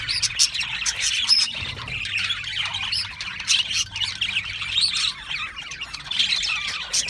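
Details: A flock of Australian parrots giving rough squawks and chirps amid busy high twittering, with a few clear whistled notes and a faint low hum underneath.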